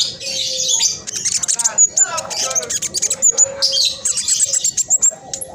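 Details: Black sunbird in speckled moulting plumage, singing steadily, used to prompt other birds to sing: fast, dense, high chattering and twittering bursts packed closely together, with a few clear whistled notes and a faint steady low hum.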